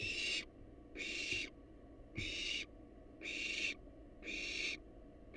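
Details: Wild barn owls in a research-monitored nest box give long rasping hisses, each near half a second, spaced about a second apart over steady low hum.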